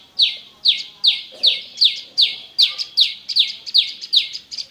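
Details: Prenjak lumut, the olive-backed prinia, giving its loud song, used to coax caged birds into singing; evenly spaced high notes falling sharply, each followed by a buzzy trail, repeated about two and a half times per second.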